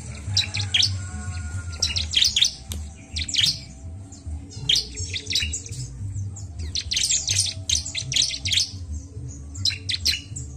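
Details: Rapid, high-pitched chirping phrases of a bar-winged prinia, meant to stimulate birds. Bursts of sharp notes come roughly every one to two seconds, with a constant low background hum throughout.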